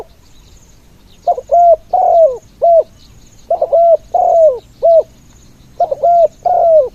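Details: Decoy spotted dove on the ground giving khan yon song to lure others. Three bursts of four or five coos, each ending in a long falling note, spaced about two seconds apart, with faint high chirping.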